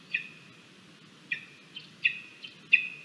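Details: Irritable lesser spotted eagle chick in the nest at feeding time on 17 August 2022, recorded by a nest camera: five short, high whistles in quick succession, each with a drawn-out tail, over a low steady hiss.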